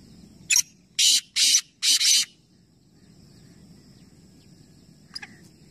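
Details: Black francolin from a three-bird calling competition at Nawabshah, Pakistan gives a short sharp note and four grating harsh bursts, then silence with low ambient rumble and a faint distant note near the end.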